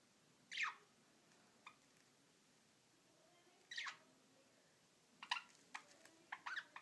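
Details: Two pet budgerigars play fighting, giving short, harsh squawks and scratchy chirps in scattered bursts against a quiet background.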